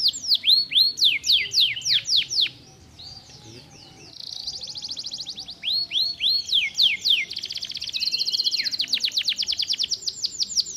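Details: Canary singing a stimulating song: rapid series of descending whistled sweeps, a brief quiet gap, then a long buzzy trill, more falling sweeps, and a fast rattling roll at the end.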